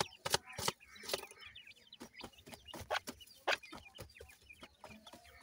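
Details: Feeding and playing grey francolin chicks: thin high peeps and twittering chirps mixed with frequent sharp clicks and knocks, like pecking at food or a hard surface, loudest near the start.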